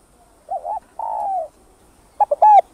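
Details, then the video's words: Spotted dove cooing, played to stimulate caged doves, with calling, urging and soft cooing styles: low mellow coos, a short double note, then a longer drawn-out coo, and finally a quick clipped cluster of coos; calm background. "Tiếng Cu Gáy Giọng Hấp Dẫn ĐỦ BÀI [GÁY GỌI,THÚC,GÙ ] Kích Bổi Nhanh Nổi"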